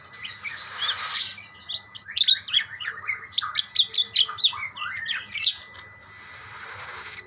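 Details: Budgerigars calling back and forth: a dense run of short, quick, high chirps and twitters in the middle, with quieter rustling before and after.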